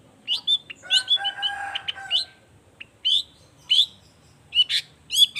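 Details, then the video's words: Long-tailed shrike in song, a lure for other shrikes: scratchy chirps over a steady sustained tone in the first two seconds, then spaced buzzy squawks and sharp chips in small groups. "Cendet Gacor Efektif Pagi Siang Sore Rajanya Bikin Cendet Lainya Spontan Nyaut Bunyi Penuh Emosi"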